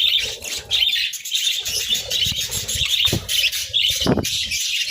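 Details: Budgerigars chirping while eating boiled eggs and bread in winter: a dense, continuous high warbling chatter from several birds, with soft thumps and wing flutters underneath.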